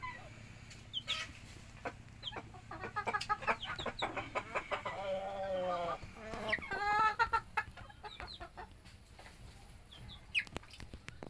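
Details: Bantam chickens in the morning: a run of clucks and short harmonic calls, with two longer wavering calls near the middle. Background hum and scattered clicks.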